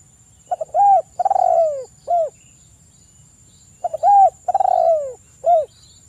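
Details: Spotted dove, 'kuk 1' type, singing loudly to challenge a rival while local males reply; two low cooing phrases about three seconds apart, each with stuttered short notes, a long sliding coo and a short closing note; thin high whine throughout.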